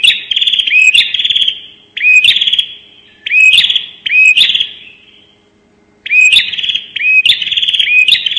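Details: Bar-winged prinia giving 'nembak' bursts as a lure: repeated rasping buzzy phrases with upslurred notes, coming in close pairs with pauses, ending in a run of three back-to-back bursts.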